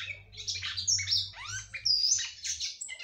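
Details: Female red-cowled cardinal singing to stimulate her male, a lively mix of high whistled slurs, downward and upward sweeps and scratchy chirps, nearly continuous, with low hum behind.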